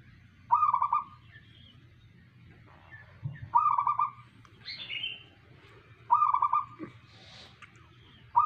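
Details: Zebra dove of a local strain singing in 'manggung' style, giving purring trilled coos about every three seconds, with a few faint higher chirps between phrases and a low hum beneath.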